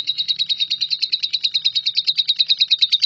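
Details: Lovebird delivering a long 'nyambung kuntilanak' trill meant for tutoring shrikes: evenly pulsed, high, scratchy chirps repeated quickly without pause, over a faint low drone.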